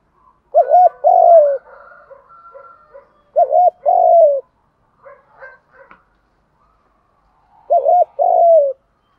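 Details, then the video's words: Male and female spotted doves in a recording meant to prompt other doves to coo. Three deep coo phrases, a short doubled note then a drawn-out descending one, come in an irregular rhythm, with softer murmuring notes in the gaps. "tiếng chim cu gáy kích bổi nhanh nổi và gáy theo cả ngày"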